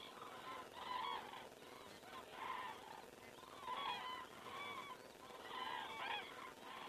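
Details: Common cranes flying over in Estonia on the evening of 19 September 2017, around 19:10: loud trumpeting, rolling calls from several birds come in bursts about every one and a half seconds, layered with rich overtones, over a steady background hiss.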